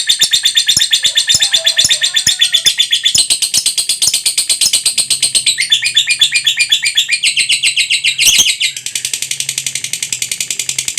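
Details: Lovebird giving a long ngekek trill used as a lure to make other lovebirds sing: a high, dense chattering trill of rapid chirps, about four per second, running unbroken for the full eleven seconds and shifting texture midway.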